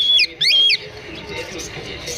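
A cockatiel gives two loud, clear whistled notes that swoop up and down, followed by quiet background hiss.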